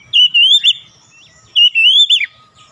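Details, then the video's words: Oriental magpie-robin phrases used to provoke other magpie-robins into singing: two loud whistled warbling phrases about 0.6 s long, wavering then dropping at the end, separated by a pause of about a second. "PANCINGAN AMPUH KACER APAPUN DIJAMIN LANGSUNG NGOTOT KONSLET"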